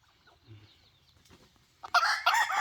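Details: Decoy rooster, 2023-2024: near silence, then a sudden loud, harsh crow bursts out in two strong segments toward the end.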